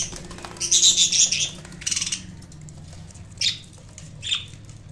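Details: Colorful pet budgerigars feeding on fresh potato leaves and green sprouts; a burst of rapid, scratchy chattering chirps, then two short separate high chirps after a pause, with faint low background hum.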